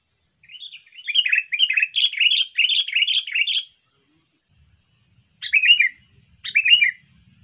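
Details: Sooty-headed bulbul song meant to attract birds: a continuous run of rich warbled notes for about three seconds, a pause, then two short falling bubbly phrases, faint low noise behind.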